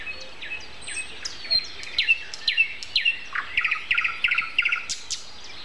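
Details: Common nightingale in an April 29 morning chorus at 7:55: varied short whistles and slurred notes build into paired, rapidly repeated phrases, while other small birds call in the background.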